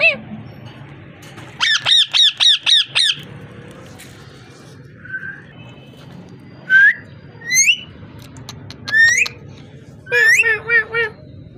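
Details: Parrot calling: a rapid run of five or six harsh, ringing harmonic notes, then scattered upslurred whistles and a closing burst of quick, chattering squawks, with quiet gaps between phrases.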